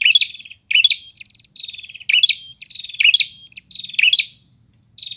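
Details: Several prinias calling back and forth: lively, high chirping phrases of sharp repeated notes in quick bursts about every half-second to second. No other sounds intrude.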